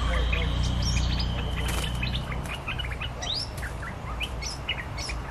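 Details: Territorial lure song of a streak-eared bulbul: a quick run of bright chirps and upward-sweeping notes, dense at first and then sparser, over a steady low hum.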